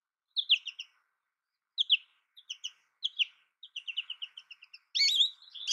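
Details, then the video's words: American goldfinch giving short paired high chips, repeated in small groups with pauses, then a sudden louder burst of twittering at the end. "American goldfinch Bird Sound, Bird Song, Bird Call Bird Calling Chirps, Birds Chirping Melody"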